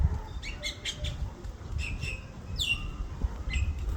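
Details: Baby bird giving short, high, sharp chirps in quick bursts of two or three, with a brief downward-sweeping squeak near the end, over a steady low rumbling background noise.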